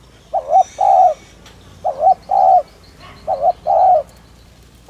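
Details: Spotted dove cooing to excite and attract wild doves: three two-part phrases, short wavering note then longer mellow coo, with faint high ticking chirps from other birds in the background.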